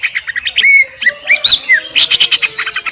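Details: Greater green leafbird singing a varied phrase: clear down-slurred whistles and arched notes mixed with harsh chattering, ending in a rapid scratchy run of notes.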